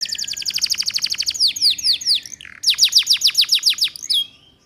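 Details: Female canary sound used as a lure to teach young canaries the ngeriwik song: a fast trill of about twenty sharp descending notes, then slower sweeping notes, a brief pause, another run of steep down-slurred notes, ending on a short buzzy note.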